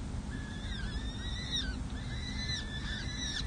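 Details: Peregrine falcon chicks, four of them aged six and seven days, at a San Jose City Hall nest during feeding. A short burst of thin, rising and falling squeaky notes overlaps steadily above a low rumbling background.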